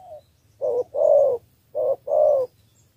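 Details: Spotted dove from Cà Mau, Vietnam, giving a three-note lure call aimed at wild field doves: two loud paired coos, each a short low note followed by a longer one, with light background hum.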